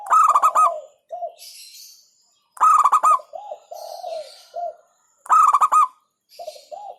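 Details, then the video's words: Local zebra dove bursts of fast staccato coos about every two and a half seconds, with softer, lower cooing notes from another dove filling the gaps. "Hentakan Burung Perkutut LOKAL Suaranya Berkelas"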